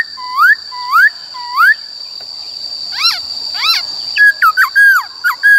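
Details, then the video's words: ['Forest-voice singing by a White-cheeked laughingthrush, used to train young and wild-caught birds: three rising whistled slurs, two sharp upswept notes, then a quick jumble of short whistles, with a steady high tone throughout.'] "Khướu Bạc Má HÓt Giọng Rừng"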